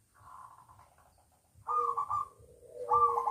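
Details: Zebra dove (perkutut), a local bird kept in a private collection. A faint, trembling coo is followed by louder wavering coos that slide down in pitch.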